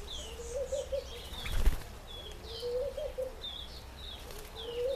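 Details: African green pigeon (Treron calvus), one of about eight shy birds feeding on fruit in a nectarine tree, gives low, wavering whistled phrases about every two seconds, with thin chirps from other birds, a thump and low rumble.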